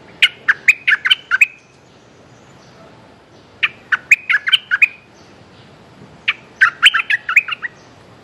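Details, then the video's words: A Streak-eared bulbul calls for a mate, repeating a bubbly phrase of eight to ten sharp chirps three times, with quiet gaps of about two seconds between. "Suara pikat merbah lekir"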